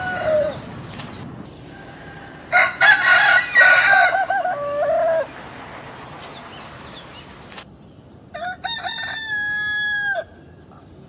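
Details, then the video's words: Southwest Asian domestic roosters: a soft short note, then a loud harsh crow lasting about three seconds, and after a pause a cleaner, sustained crow that ends abruptly. "som do galo cantando"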